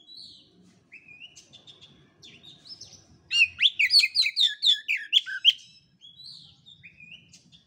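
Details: Oriental magpie-robin song used as a lure and master recording for training birds whose singing has not yet opened up: scattered rising whistles, then a dense burst of rapid, varied sharp notes, ending in softer whistled phrases over a faint low hum.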